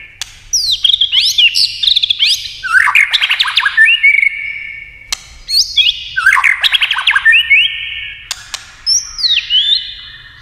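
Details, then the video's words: White-rumped shama singing in many voices for a contest: two loud phrases of cascading whistles and stuttered trills, each ending in a clear drawn-out whistle, with sharp snapping clicks. "kích chòe lửa hót đấu nhiều giọng"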